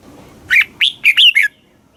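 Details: Thai red-whiskered bulbul, kept caged, singing a single southern master-style phrase used to rouse birds and teach young: five clear, bubbling notes in quick succession, the middle ones loudest.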